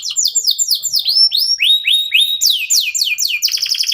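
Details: Local canary song used as a lure for other songbirds: rapid upswept chirps in quick succession, then downward slurs and a closing rapid trill.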